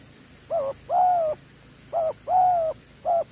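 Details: Spotted dove kept as a decoy bird, singing the "thổ tở đèo lò xo" coo style: short and long mellow hooting notes alternate in uneven pairs over a faint constant high-pitched hum.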